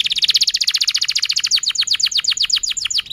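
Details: Young and silent canaries are the intended audience for this canary's stimulating song: a fast, steady trill of high notes, about ten per second, gradually slowing into clearer, separate downswept notes.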